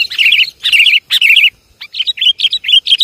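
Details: Lure call of sooty-headed bulbul: three loud, rolling, bubbly warbled phrases about half a second each, followed by a quicker run of short liquid chirping notes.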